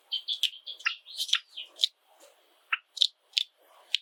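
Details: Seven pet Java sparrows kept indoors; dense bright chirps and clicking notes tumble together, then a short pause before several sharp isolated tick notes.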